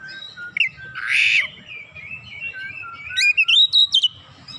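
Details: Oriental magpie-robin in full, vigorous song: a harsh buzzy note, then a long sliding whistle, ending in a quick run of bright, rising and falling whistled notes; loud and close.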